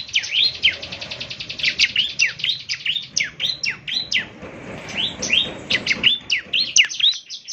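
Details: Bar-winged prinia, a semi-mature bird singing strongly, used each morning to prompt other birds to respond. A dense, continuous stream of high, rapid, hooked chirps with barely any pause.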